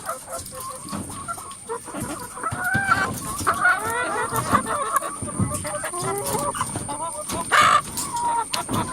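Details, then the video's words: Numerous hens packed in a coop keep up a busy babble of clucks, short rising squawks and wavering cackles, growing louder midway, with one sharp shriek near the end and a steady high background tone. "Hen sounds effects - Lot of chicken in coop making various noise"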